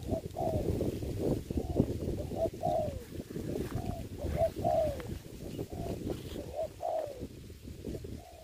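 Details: Decoy spotted dove on the ground in a trapping setup during the Covid-19 season coos in repeated phrases, some ending with falling notes. The cooing sits over steady low rumbling and scattered knocks.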